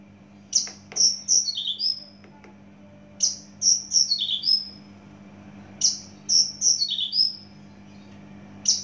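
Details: Javan bush lark from Java, singing in three bursts of high, bright whistled notes, each burst a quick run of four or five slurred, falling whistles, separated by pauses of about two seconds over a steady low hum.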